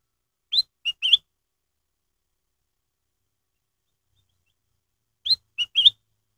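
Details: Black-headed bulbul (kutilang emas) lure song played to stimulate captive birds to sing: two brief phrases of three bright, liquid whistled notes, the second about five seconds after the first, with silence between.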